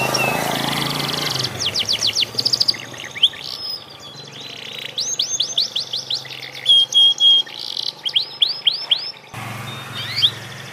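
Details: Panda canary practising its song: quick sequences of high, steeply swept notes alternate with brief buzzy trills and sustained whistles, the phrases stopping and starting irregularly over faint low hum.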